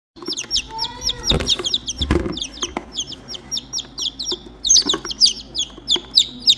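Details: Three baby chicks that have lost their mother hen, calling for her: loud high peeps slurring downward, rapid and overlapping, mixed with thumps, rustling and handling knocks, plus a brief lower whistled tone early on.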